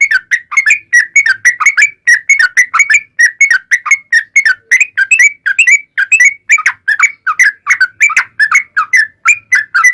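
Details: Yellow-vented bulbul in a long, rapid 'ropel panjang' song used as a lure to make other bulbuls answer: a steady stream of short, bubbly whistled notes, each dipping and rising, several per second for ten seconds.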